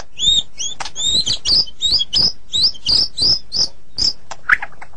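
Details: Morning song of a white-rumped shama: paired high chirping notes repeated about three times a second, with soft clicks between them and a low murmur underneath.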